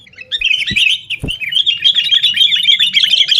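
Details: Sooty-headed bulbul chattering noisily in fighting mode, played as a lure so caged birds start singing at home; a continuous run of rapid twittering notes with two low thumps near the start.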